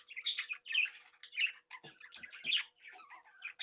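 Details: Captive breeding flock of budgerigars chattering happily, the birds said to talk, tweet, sing and mimic while playing; dense overlapping warbles and sharp chirps, with a loud squawk at the end.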